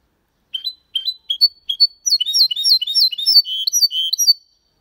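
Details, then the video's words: Goldfinch × canary hybrid singing a clean Málaga-style song without errors: four or five spaced, upslurred chip notes, then a rapid run of bright, twittering, rising-and-falling high notes for about two seconds. "Mixto de Jilguero Cantando Limpio (Video HD)Mulet de Chardonneret X canari /hybrid goldfinch singing"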